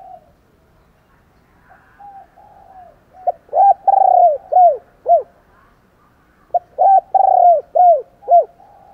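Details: Morning cooing of a spotted dove, meant to stir up fighting: low soft coos, then two strong phrases of five deep arched notes, each with a long swelling middle coo.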